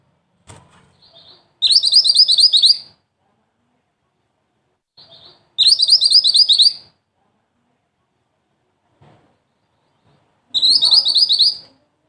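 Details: Mantenan, a small black-and-red wild bird whose song suits the rolling 'ngerol tembak' style: three bursts of rapid, sharp, high chirps, each about one second long, coming every four to five seconds with quiet between them.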